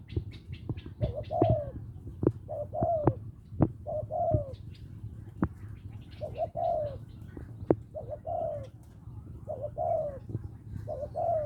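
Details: Spotted dove in Lopburi, Thailand, calling for a mate with a small voice: a steady run of about seven mellow coo phrases. Each is a short paired note and then a drawn-out falling coo, with frequent sharp clicks and taps around them.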